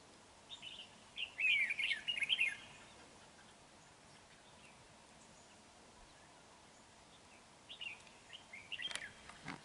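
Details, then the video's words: Red-whiskered bulbul singing as a decoy bird during trapping on 31 January 2019. A short burst of bright, warbled notes lasts about a second, followed by quiet, then a few brief chirps near the end. "Bẫy chào mào"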